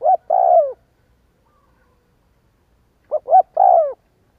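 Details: Cooing spotted dove used as a lure: two three-part phrases about three seconds apart. Each has two quick hooted notes and a drawn-out, slightly rough coo falling in pitch. Nothing else is heard.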